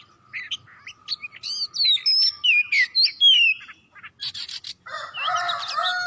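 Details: Oriental magpie-robin, its song played to encourage other birds to sing: varied rapid phrases mixing sliding whistles with dry rasping chips, about ten loud notes, ending in harsh buzzy bursts.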